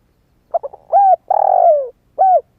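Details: Young spotted dove still in juvenile plumage, calling as a lure for wild doves. The phrase opens with quick stuttered notes, then a steady coo, a drawn-out purring coo falling away, and one last coo.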